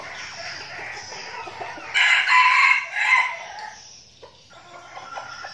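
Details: Trained decoy red junglefowl from a flock being prepared for the forest. A faint crow is followed by a loud, harsh, multi-part crow lasting over a second, which then fades into quiet scattered clucks.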